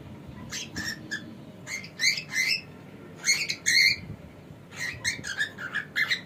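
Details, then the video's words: Pet cockatiel, male, producing a busy stream of harsh chirps and squeaky notes in uneven bursts, louder clusters near two and four seconds. "This Cockatiel Has No Idea How Funny He Sounds!"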